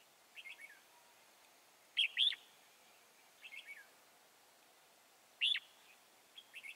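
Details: Chùa Hương, 24 March 2018, wild-caught red-whiskered bulbul during trapping: short, lilting whistled phrases of two or three notes, repeated about every three seconds with varying loudness, against a quiet hissy background.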